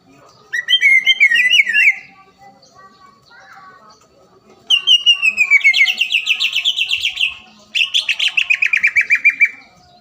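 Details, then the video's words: Rival-provoking lure song of the greater green leafbird (cucak ijo): three loud phrases of rapid, rich warbled whistles, the first twisting up and down, the later two long trills of quickly repeated notes. "PANCINGAN CUCAK IJO GACOR AGAR CUCAK IJO LAWAN SEKETIKA LANGSUNG BUNYI DAN EMOSI"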